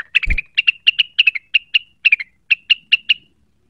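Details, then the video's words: Cucak wilis quick to anger, singing in search of a rival: a brisk sequence of clear, sharp chirps, some paired, at a steady lively pace after a short knock at the start. "pancingan cucak wilis cepat emosi terpancing bunyi"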